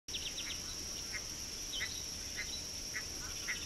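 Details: Vulturine guineafowl at an African watering hole, 24 February 2017, giving short, harsh clinking notes about every half second over a steady high insect drone and outdoor hiss.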